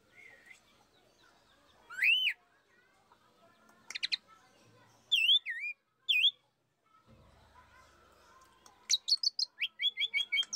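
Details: Asian pied starling, pied myna, singing as a lure recording: clear looping whistles rising and falling, separated by pauses, ending in a fast run of repeated sharp notes.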